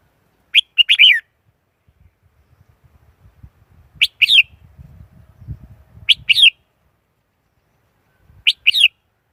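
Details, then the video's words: Red-whiskered Bulbul decoy song used to attract wild birds for trapping: four bright warbled phrases about two seconds apart, with low rustling and knocking between them. "Tiếng chim chào mào mồi dùng đi bấy cực sát bổi"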